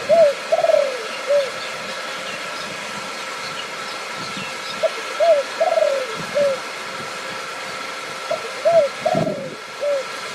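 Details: Thai zebra dove at a decoy-cage luring session, newly scoring its first point: three bouts of soft cooing, each a short run of mellow, slightly descending notes ending in a lower coo, about every four seconds, over a constant hum.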